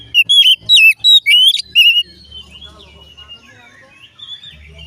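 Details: Oriental magpie-robin song meant to get other magpie-robins singing: five loud, rapid whistled notes rising and falling, then a softer trailing warble with a faint low hum in the background.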